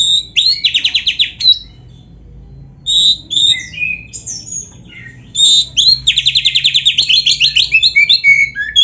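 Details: Oriental magpie-robin in full, varied training song: a fast rattling trill of high notes, a pause, mixed whistles and chirps, then a long, rapid, pulsing trill with sweet whistled notes woven in.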